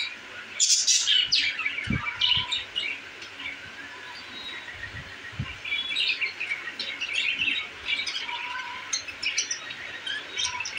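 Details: Budgerigars happy in their new cage chatter with a loud burst of squeaks at first, then softer ongoing high twittering, with occasional low knocks and a few whistled notes.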